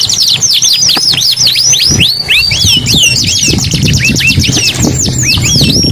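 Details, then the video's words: Singing canary pours out a string of high, sharply swooping notes, some rising and falling, in rapid rolling phrases, with a low rumble of background noise underneath. "KENARI GACOR 2 IN 1 | CANARY SINGING"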